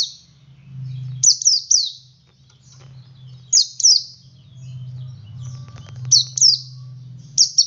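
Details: Oriental white-eye male singing ngalas, used to provoke other white-eyes to sing: scattered pairs and triplets of high, thin, downward-sliding notes at irregular intervals, with a low hum and faint clicks in the background.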